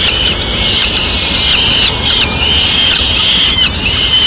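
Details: Peregrine falcon nest in Madrid, the male feeding the chicks a swift he brought: insistent, grating wails in uneven bursts, roughly thirty a minute, over steady hiss.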